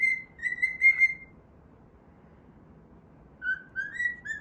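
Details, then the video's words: Pet cockatiel whistling a melody as it plays: a held whistled phrase, a long quiet pause, then three notes stepping upward. "歌いながら遊ぶミロ｜Milo playing while singing."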